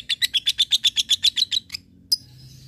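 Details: Lovebird giving its ngekek, meant to provoke rivals and train fighting birds: a fast, even rattle of about thirteen high chattering notes over under two seconds, then a pause and one sharp chip. Faint low hum behind.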